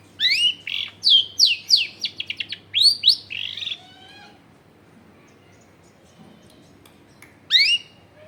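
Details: Long-tailed shrike song meant to coax silent shrikes into singing: a fast, dense string of scratchy rising and falling squeaks for about four seconds, then quiet with a faint low hum, and one final short burst of chatter.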